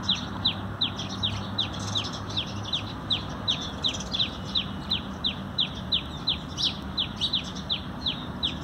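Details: Feeding sparrows, part of sparrow conservation, dated 19 November 2020: brisk, regular chirps slurring downward, roughly three each second, with faint fainter chirps behind and a steady low rumble.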